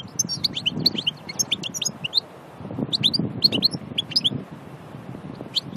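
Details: Pure wild goldfinch of Annaba, Aïn Barbar, delivering two bursts of quick, high tinkling twitters and chirps separated by a short pause, over steady low-pitched background rumble.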